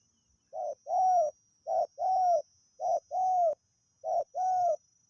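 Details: Spotted dove singing during decoy luring, a wild bird praised for its fine voice. Loud, clean cooing in paired phrases, each a short coo followed by a longer, slightly arched coo, repeated about every 1.2 seconds in a quiet setting.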